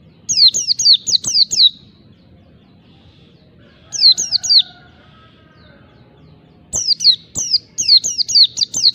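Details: Rival-provoking ngalas song of an Oriental white-eye, the wild-type style: several bursts of rapid, high, sharply falling whistles, five, then three, then a longer run of about eight, with quiet pauses between.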